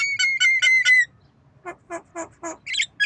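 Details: Javan myna, nodding while learning to cough, utters four repeated steady whistled notes with rough edges, goes briefly quiet, then gives four lower hoarse nasal calls and a closing chirp.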